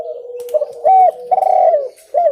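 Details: Spotted dove, recorded as a clear lure call. Strong, mellow cooing phrases swell and fall over a steady low humming coo, with a brief gap before a final phrase.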